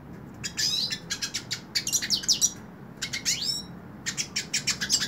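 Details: Hooded siskin singing while held in the hand: bursts of rapid, high twittering notes with quick rising and falling sweeps, broken by short pauses, over a faint low background hum.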